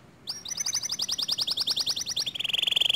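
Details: Singing canary, a song said to set other canaries singing: a fast, even trill of high repeated notes for two seconds, switching to a quicker, lower rolling trill.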